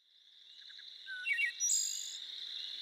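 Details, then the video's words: Wood Thrush song recorded in Minnesota: a few soft, flutey notes rising into a quick, high, ringing trill, over a steady high-pitched insect drone. "Wood Thrush Song"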